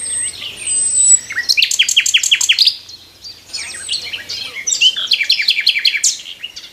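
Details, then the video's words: Nightingale singing in the morning from a tree: varied phrases of sharp whistles, then a fast series of repeated descending notes, a pause, and another burst of rapid repeated notes with a high thin whistle at the start. "Nightingale morning song"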